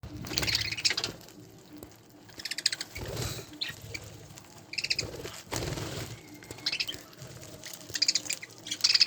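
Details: Several spangle budgerigars chattering together in short bursts of high, scratchy warbles and chirps, separated by quieter gaps, with soft wing flutters and thumps in between.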